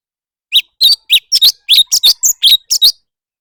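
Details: Leafbird in contest singing, giving a quick, irregular run of roughly twelve sharp, high-pitched chirps with varied twisting notes, packed into about two and a half seconds. No other sounds are heard.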